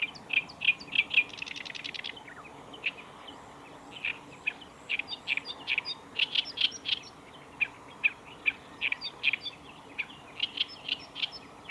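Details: Black-browed reed warbler song recorded at the Kita-Fuji training area on 15 July 2019, a continuous series of scratchy, staccato chips and a fast rattling trill, notes repeated irregularly over faint background noise.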